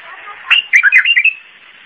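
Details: Iraqi bulbul singing in the zamili style: one short, bubbly phrase of five or six quick, liquid warbled notes, mid-high in pitch, over a steady background hiss.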